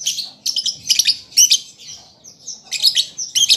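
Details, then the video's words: Juvenile lovebird learning to sing: dense, shrill squeaky chattering in rapid bursts with brief drawn-out high notes between them. "Pancingan Lovebird Paud Belajar Bunyi Ampuh Langsung Nyaut"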